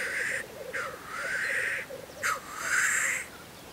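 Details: At a Russian spring lek, black grouse give harsh, drawn-out hissing sneezes, three or four in quick succession, over a soft, rolling bubbling chorus underneath.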